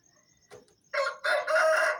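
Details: Aseel rooster crowing at dawn around 4:30 am as a wake-up call; a soft click, then a loud, harmonic crow rising into a long sustained note after a brief break, over faint high insect chirping.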